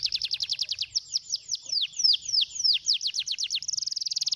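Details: Canary singing a stimulating song: rapid series of clear, descending whistled notes repeated several times per second, ending in a fast buzzy trill.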